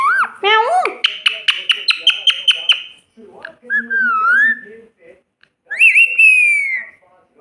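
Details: Parrot mimicking a cat's meow: a couple of arched, nasal, meow-like notes, then a rapid train of about ten even clicky chirps, followed by a wavering whistle and a loud rising-falling whistled call, with faint voices behind.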